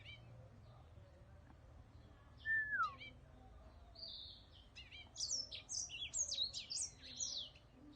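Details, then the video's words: Whitetip song from a cage bird: a single falling whistle, a few short chips, then a dense flurry of high, jumpy twittering notes toward the end. "Giọng hót Whitetip"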